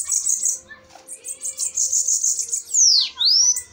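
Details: Bananaquit duel during a fight, high thin stuttering trills in pulses, climaxing in a clear swooping whistle that drops then rises sharply.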